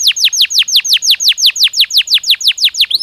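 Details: A Belgian canary sings naturally, in a recording meant as daily stimulus for training. It gives a fast, even trill of bright, high whistled notes, each sweeping sharply downward, about six per second, with no other sounds.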